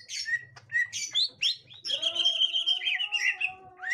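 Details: A gotri-type green leafbird reacting to a young forest green leafbird: short chirps, then a long sustained warbling whistle with a steady tonal hum below and faint low buzz.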